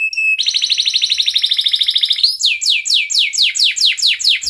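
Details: Canary in breeding condition calling a rival, used as a lure for young learners: a brief whistle, then a rapid rolling trill of about two seconds, followed by a series of slower downward-sliding whistled notes.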